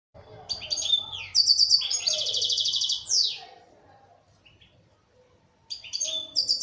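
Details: Local Algerian European goldfinch, formerly kept by its owner, singing high, bright twittering phrases that run into a dense buzzy trill, then a falling sweep. After a silent pause of about two seconds, the twittering starts again.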